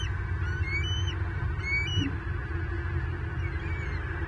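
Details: Bald eaglet at a Southwest Florida nest, 9 May 2023, around a fish delivery by the adult male: two short bursts of thin high whistled notes, then quiet with low hum.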